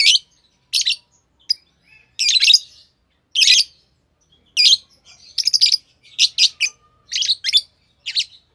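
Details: Chirping from two green Fischer's lovebirds, a string of short, harsh high notes spaced irregularly, some in quick doubles and triples.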